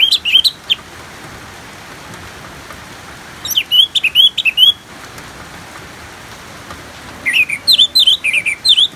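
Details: Orange-headed thrush singing over a bed of natural rainfall used as calming therapy; three bursts of quick, varied whistled notes with sharp high flourishes, spaced roughly every three to four seconds amid constant rain noise.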